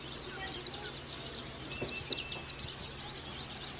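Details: Oriental white-eye singing a training song in the fast 'nembak' style: after a short pause, a rapid run of thin, high, downslurred whistled notes, about four per second, bright and clear over a faint hiss.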